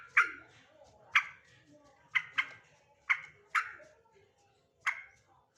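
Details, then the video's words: Male sooty-headed bulbul delivering abrupt, harsh single notes at uneven spacing, roughly one each second, with some notes paired closely. Faint low background noise runs underneath. "trucuk jantan"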